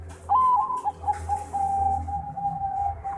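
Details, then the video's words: Bangkok-type zebra dove, a contest champion, gives a loud rising whistled opening, then a long steady trilled coo that stretches out for over two seconds. "Perkutut Bangkok Gacor Sang Juara"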